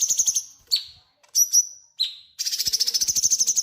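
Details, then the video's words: Tutor song for magpie robins from a cucak cungkok bulbul: quick buzzy notes, three bright whistles falling in pitch, then a fast rolling chatter to the end. "Cucak Cungkok Gacor ‼️ Cocok untuk masteran burung murai batu"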